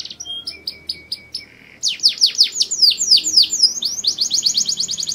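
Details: Canary starting with soft spaced chips and low piping notes, then bursting into a loud run of descending whistled sweeps and a fast rolling trill.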